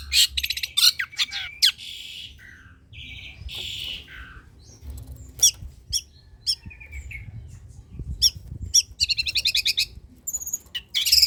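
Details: Long-tailed shrike singing in a recording used to prompt other shrikes into song: a mix of scratchy bursts, whistled slurred notes and fast rattling trills, loud and varied, with short gaps between phrases.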